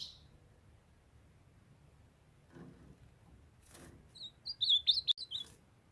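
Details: In a quiet setting, a young male ultramarine grosbeak kept beside a calling female delivers a short, twisting phrase of high whistled notes, rising in strength, after a couple of soft taps.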